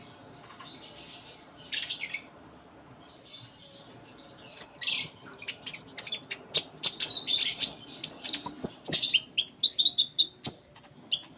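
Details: Konin (kolibri ninja), or Ruby-cheeked sunbird, in full isian song: scattered scratchy notes build into a fast run of high twitters and sharp ticks, getting louder toward the end.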